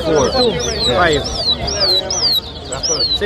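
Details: Towa towa (chestnut-bellied seed finch) whistling in a bird-racing club competition at Lusignan, Guyana, 2023: high, clear arched whistles repeated about twice a second over louder lower warbled notes, with people talking nearby.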